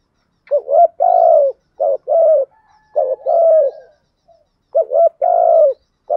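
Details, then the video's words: Spotted dove kept as a decoy bird to lure other doves, cooing in a quiet setting: low hooting phrases, each a short double note followed by a longer drawn-out coo, repeated three times with pauses. "chim cu mồi thúc gù bài bản nhất hiện nay, chim cu gáy kích bổi hiệu quả nhất hiện nay"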